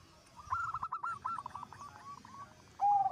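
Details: Zebra dove in full song, its voice said to prompt other zebra doves to join in: a fast stuttering series of short cooing notes, then a pause and a loud low sustained coo.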